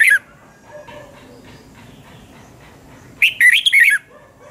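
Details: A red-whiskered bulbul gives a morning song for voice training, double-twist style, 2020. After a clipped opening note and a long hushed stretch comes one rich burst of rapid warbled notes sliding up and down.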